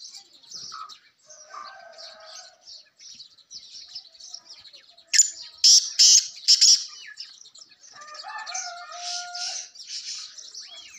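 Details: A black francolin gives a loud, harsh run of four grating notes over a steady twittering chorus of small birds and scattered whistles; the call is played to lure francolins.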